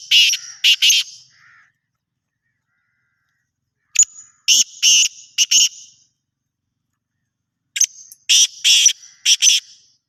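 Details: A black francolin gives three rasping call phrases at roughly four-second intervals. Each phrase is a quick series of harsh, buzzy grating notes, and the background is otherwise silent.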